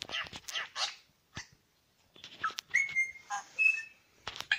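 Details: One of two male superb lyrebirds at Lookout Point, New England National Park, sings a varied run of harsh, crackling bursts, sharp clicks and clear level whistles, switching sound every second or so with brief pauses.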